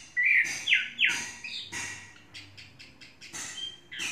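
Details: Tame Chinese hwamei kept caged for three seasons gives a few loud, sharply down-slurred whistles, followed by softer, scattered chirps and notes fading toward the end.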